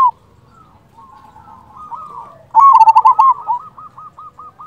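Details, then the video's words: Local zebra dove from Indonesia, played as a lure to make other doves answer and to stir singing: a loud bubbly cooing phrase near the end, then a trail of quieter soft repeated coos, with faint distant cooing earlier. "Perkutut lokal gacor Pancingan ampuh sekali putar suara ini 100% bikin nyaut"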